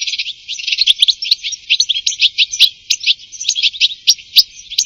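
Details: European goldfinch song: a fast, continuous twittering of varied high, tinkling notes and short trills, tumbling without pause.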